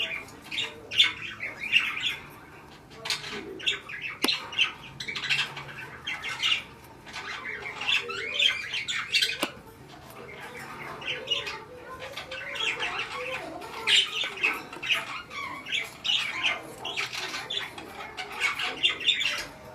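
Budgerigar chatter: busy, scratchy squawks and warbles packed close together in a high register.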